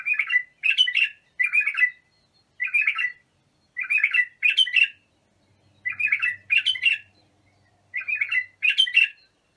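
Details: Bulbul singing as a model for young bulbuls to learn: steady series of short, bubbly whistled phrases, often in pairs, repeated about every second, with a faint low hum in the middle.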